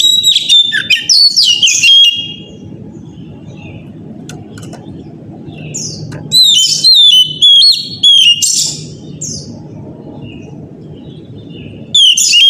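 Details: Oriental magpie-robin morning lure song to get other magpie-robins singing. Loud bursts of whistles and sharp chirps separated by long quiet gaps filled with a low steady hum.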